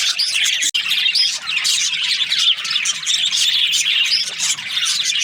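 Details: Happy budgies chirping in a loud, continuous chorus of buzzy warbles, squeaky twitters and short squawks, with one brief click early on.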